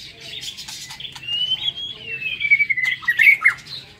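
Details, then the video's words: Caged white-rumped shama in an aviary, morning song: one long, thin, sweet whistle that glides slowly downward, breaking into quick twisting notes at the end, with scattered clicking sounds around it. "Tiếng Chích Chòe Lửa độc lạ hay"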